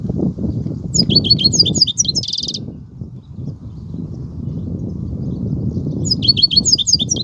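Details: Kobia-style song of a European goldfinch: a quick run of high, sharp, liquid twitters ending in a short buzzy trill, then silence, then a fresh twittering burst, all against a low, steady rumble.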